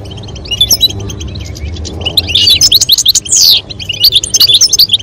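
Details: A female European goldfinch calling and a male singing to encourage mating. Quiet scattered chirps at first, then a lively run of fast, tinkling twitters and a harsh, buzzy rasp. Soft music plays low in the background.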